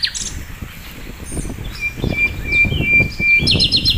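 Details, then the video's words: Flycatcher (sikatan londo) in a master recording for songbird training: scattered high chirps and whistles, a long steady tone, then a fast burst of chirps, with low rumbling noise underneath. "masteran mewah sikatan londo gacor"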